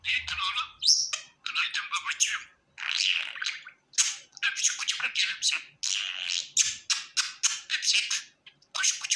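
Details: Happy pet budgie warbling almost nonstop, a rapid string of raspy chirps, clicks and squeaky notes with only brief breaks.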